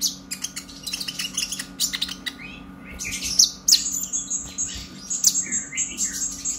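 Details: Captive young brown-breasted purple-throated sunbird in excited song, used to spur other birds: busy high ticking and chattering, with several long thin high whistles drawn out near the end.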